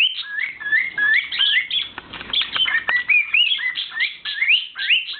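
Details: Two pet cockatiels sing to a noodle strainer they love, giving a steady run of rising whistled chirps, each note sweeping quickly upward.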